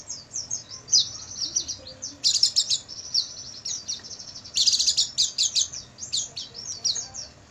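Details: Oriental white-eye at night, recorded to train caged birds: fast high twittering warble of falling notes, swelling twice into louder, harsher rattling bursts before settling back to quick chirps.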